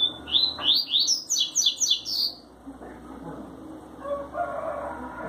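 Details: Coleiro, a rusty-collared seedeater, performing a tui tui zel zel song: a rapid string of about ten bright, high, down-slurred notes in just over two seconds, followed by quieter background sounds.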